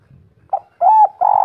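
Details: Local spotted dove of the kuk 3 voice type, natural and eager. A short coo precedes a longer, smooth, level coo, then a throbbing coo begins. Faint low rumble at the start.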